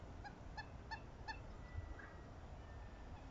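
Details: A Southern screamer pair, pair-bonding, gives four loud, honking notes about a third of a second apart, then a fainter note, over a steady low rumble of wind.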